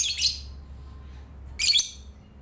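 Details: Lovebird chattering in the morning: two loud, harsh, screechy bursts about 1.4 seconds apart, separated by a quiet pause with a faint low hum in the background.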